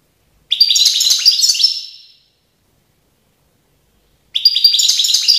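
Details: European goldfinch, Tiaret, 2019, two bursts of bright rapid twittering separated by about two seconds of silence, the second phrase cut off.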